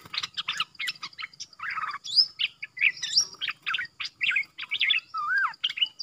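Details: Bulbul used as a decoy, calling at wild birds. A dense, fast run of varied chirps, slurred whistles and short buzzy notes continues without a break, with faint low ticking beneath.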